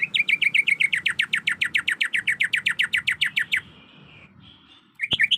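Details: Female greater green leafbird in breeding condition calling to a male, a rapid even run of short downward-sweeping chirps, roughly six per second for over three seconds, then a pause, a faint sustained tone, and renewed chirping.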